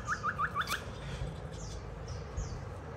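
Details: White-rumped shama singing during a child's play: five quick rising whistled notes in a steady row, then faint higher slurs amid low background hum.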